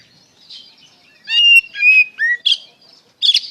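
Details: White-rumped shama (kacer) in 'ngeplong' style, a lure meant to draw replies from other shamas; a few loud whistled notes, some sliding downward, with harsh chattering bursts between them.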